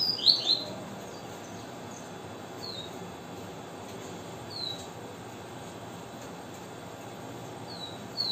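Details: A brief, loud burst of high whistled notes opens the viviti song of this coleiro (double-collared seedeater), followed by a few faint, thin, down-slurred notes spaced several seconds apart against steady hiss.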